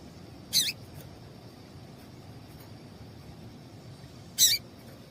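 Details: Female double-collared seedeater (papa-capim) call used to excite males for singing tournaments: two brief, high, slightly buzzy chip notes nearly four seconds apart, with faint hiss between them.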